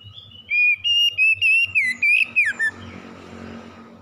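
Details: Magpie-robin under stress in morning song, an unbroken run of about eight loud whistled notes, level then wavering and falling at the end, followed by broad hissing noise.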